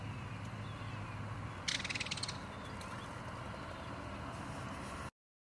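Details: A Belted Kingfisher in Florida gives one short, dry, rapid rattle of harsh clicking notes over a steady low rumble like distant traffic or wind.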